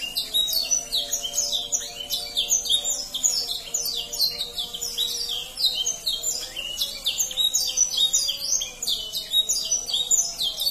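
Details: Young-canary training song: rapid, crowded high twittering with repeated downward-sweeping notes and short trills, continuous throughout, over a faint wavering low tone in the background.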